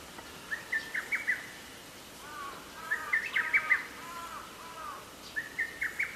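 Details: Lesser cuckoo song recorded 24 May 2020 at Atarashiki-mura in Moroyama, Japan: three sharp, rapid multi-note phrases, with another bird's lower warbling notes between them.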